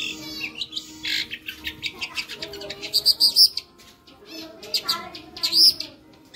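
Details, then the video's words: Cendet, the long-tailed shrike, singing a gacor masteran with lively fill: clusters of harsh rattling chirps and bright high whistles in uneven bursts, separated by short quieter gaps. "suara masteran burung cendet gacor ,isian hidup"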